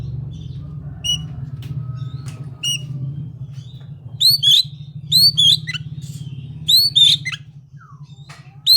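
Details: Oriental magpie-robin (kacer) singing: loud rising whistled notes with harmonics, given in short paired bursts, over a steady low hum.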